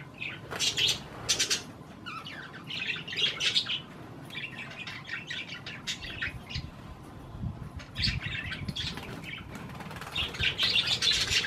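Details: Pet parakeets eating cherry tomatoes keep up bursts of chirps and warbled chatter, rising and falling in loudness, with short pauses and some low thumps.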